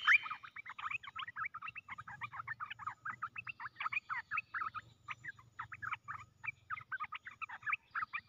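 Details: Decoy red-whiskered bulbul, caged, pouring out a long, hurried run of short chattering whistles and slurred notes, many per second, scarcely pausing over eight seconds, with a faint low hum beneath.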